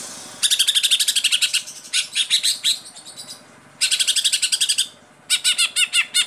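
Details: A captive Greater Green Leafbird (cucak ijo) sings loud, bright bursts of rapid repeated notes, like fast volleys, broken by short pauses and ending in a run of quick arched whistles.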